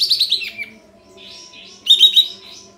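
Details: Lure song of a kapas tembak sooty-headed bulbul with spread tail: a rapid descending run of notes, a soft warble, then a loud chattering trill.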